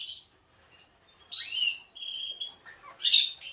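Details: Canary song, with Portuguese Harlequin and Spanish Timbrado canaries named: a short high note, then a loud sweeping whistle with buzzy overtones, a steady high trill, and a bright, harsh burst near the end. The background is quiet.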